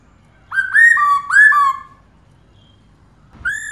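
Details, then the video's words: Female black-throated laughingthrush calling steadily to stimulate males: two pairs of strong whistles, each a high note dropping to a lower one, then silence and a single rising whistle. "KHƯỚU MÁI RÒ LIÊN TỤC KÍCH TRỐNG CỰC NHẠY"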